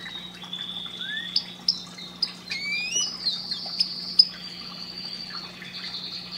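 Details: Canary song to stimulate breeding, rather quiet: sustained high whistled tones, scattered sharp chirps and a few rising slurred notes over a faint steady hum.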